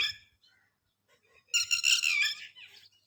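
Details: A red-wattled lapwing protecting its young opens with a short shrill note, then after a pause gives one long, loud, harsh burst of rapid strident notes.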